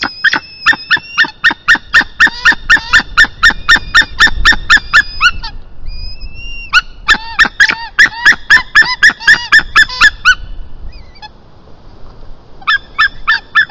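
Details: Estonian white-tailed eagles calling at 1:53 pm on 22 March 2023 as the male brings a fish gift and the pair mates; loud harsh yelping notes repeated rapidly in long bursts, with brief pauses and a few thin whistled notes between bursts.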